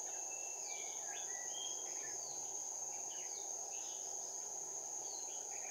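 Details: Lure-bird Red-whiskered bulbul at a trap on 16 January 2019, giving a run of bright, slurred whistled notes rising and falling across the whole stretch, backed by an unbroken shrill insect hum.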